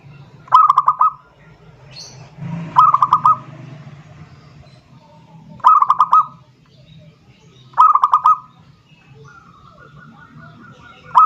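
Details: Zebra dove song aimed at a rival: five brief stuttered phrases of three or four soft coos, spaced roughly two seconds apart, over a low background hum and faint noises.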